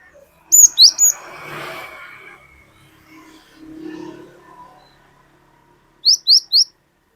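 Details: Cinereous tit, an untrained bird in active song, used to draw out other birds, singing long 'wucit wucit'. Short runs of three high whistles at the start and end, with rustling and a low murmur between.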